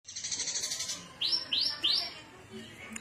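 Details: Javan bush lark from Cilacap singing in the cing ciu style, recorded 9 September 2020: a high buzzy trill, then three quick arching slurred whistles, each rising then dropping, against faint low background hum.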